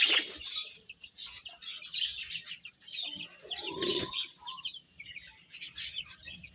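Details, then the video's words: Eating chicks keep up a steady, high chirping chorus, joined briefly midway by a lower, rounded call from another bird. "Beautiful Chicks Chirping Sounds | Baby Hen Eating"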